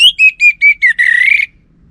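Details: Orange-headed thrush heard on a bait recording meant to provoke males: five clear, evenly spaced whistled notes, slightly falling, followed by a rough, buzzy, rising note lasting about half a second.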